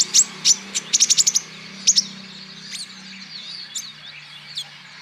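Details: Male olive-backed sunbird, Natuna green type, used to get other birds singing: a quick run of sharp high chips in the first second and a half, then faint thin slurred notes fading away.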